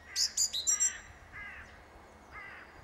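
A song thrush gives a burst of loud, clear, high whistled notes with short phrases repeated quickly. Fainter, harsher calls follow from farther off.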